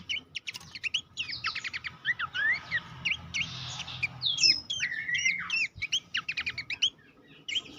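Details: Horsfield's babbler training recording for songbird contests, packed with fast clicking trills, sweeping whistles and squeaky slurred phrases, fading to scattered chirps at the end.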